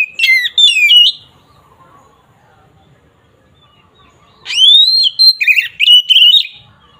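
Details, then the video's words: Oriental magpie-robin giving agitated fighting song to stir rival birds: a short warbled burst, several seconds of quiet, then a rising whistle leading into rapid varied phrases. "Suara burung KACER NGEPLONG ini samgat ampuh untuk menaikan emosi lawan"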